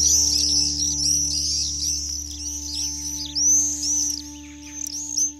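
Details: Three Black Swifts (Cypseloides niger) twittering together, rarely heard, as they fly fast overhead in a canyon early on a cold morning at Marble Canyon, Kootenay National Park: a dense, high, thin chatter of quick overlapping chips over a steady low hum.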